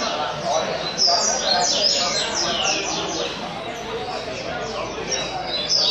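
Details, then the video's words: Captive double-collared seedeater (coleiro) singing the Caveirinha style, Rio Comprido. Rapid series of high, downward-sweeping whistled notes repeated almost two per second over broad background noise, after a voice urging it on. "Coleiro Caveirinha 115 Cantos Rio Comprido muito Bom"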